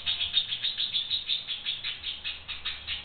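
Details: A young pair of pet budgerigars having fun, filmed on an old digital camera: continuous high, scratchy warbling chatter in quick uneven pulses, with a radio and a recording of the birds' own voices playing in the background.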